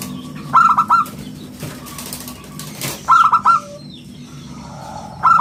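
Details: Zebra dove, local perkutut, singing clear 'bulat kristal' song for luring and training birds: three bursts of ringing stuttered trills about two and a half seconds apart, with a brief rustle or flutter between the first two.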